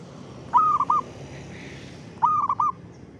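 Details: Lively rhythmic zebra dove song in the afternoon at 5 pm. Two soft, rolling cooed phrases, each with a short trill ending, come about 1.7 seconds apart over a low background rumble.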